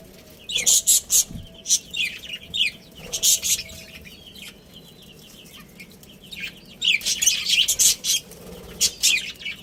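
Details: Budgerigar breeding pair producing loud, dense bursts of high, harsh chirps in rapid rhythmic runs, separated by quieter softer twittering.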